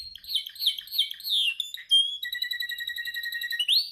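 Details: Canary practising its song in training, with quick swooping whistled phrases, a sharp high note, then a long steady rattling trill and a final rising sweep.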